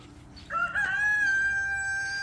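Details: A rooster crows near a backyard chicken coop, a loud harmonic call that rises briefly and then holds a long, steady note.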